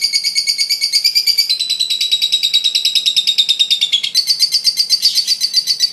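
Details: Fighter lovebird's long ngekek laughing call, used to lure baby lovebirds: fast grating high-pitched chatter in steady pulses, dipping slightly then jumping higher near the end.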